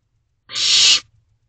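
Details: Hungry owlet peering from the door of a barn owl box after midnight, 22 May 2023, produces one loud hoarse hissing screech, steady and noisy, lasting roughly half a second.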